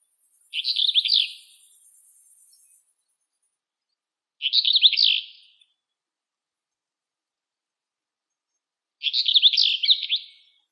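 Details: Female Eastern black-eared wheatear (Oenanthe melanoleuca) in Greece, song: three short, scratchy, high warbled phrases about four seconds apart, each under a second long; faint hiss early on.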